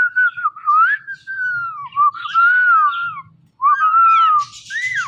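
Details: Indian ringneck parakeet talking: clear, tonal, speech-like whistled phrases glide up and down almost without a break, with one short pause midway and a brief hissy, breathy burst near the end.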